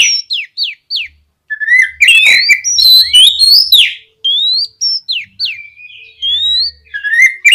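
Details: Oriental magpie-robin singing energetically to encourage other magpie-robins to sing: crisp downslurred whistles, a dense chattering passage, then sweet rising and falling whistled phrases.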